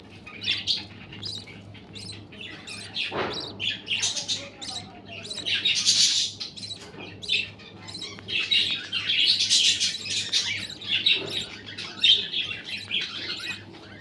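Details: Family of clearwing budgerigars with chicks, kept as pets. They chirp in dense, overlapping chatter: high scratchy warbles and squeaky tweets from several birds at once, swelling and fading, with a faint low hum in the background.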